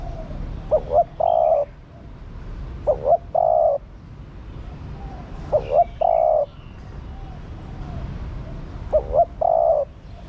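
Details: Female spotted dove calling to stimulate the male, giving four repeated phrases roughly every three seconds; each is a short double note rising in pitch, then a sustained low mellow coo, over soft background hiss.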